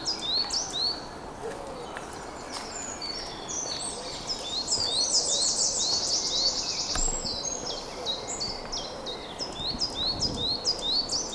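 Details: Goldcrest in a local park (Mines's Grove) on an afternoon of 22 March 2025, giving very high, thin, needle-like notes in rapid bursts with a denser high trill midway, over a steady low outdoor hum.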